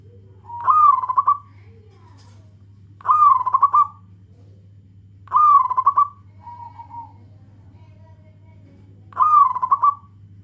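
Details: Zebra dove of a local type calling to companions, four loud, trilling coo phrases spaced about two to three seconds apart, each a quick rolling burst. A brief softer level coo falls between two of them.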